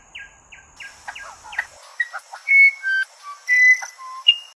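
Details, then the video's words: Musician wren song beginning with five quick downslurred notes roughly a third of a second apart, followed by dry clicks and long, pure whistled tones that shift in pitch, against a steady high-pitched background drone. "Musician Wren Sound"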